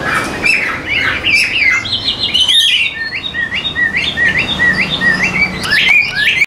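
A hwamei sings a loud, varied run of clear whistled phrases, with quick repeated upslurred notes about three per second and a few harsher chatters.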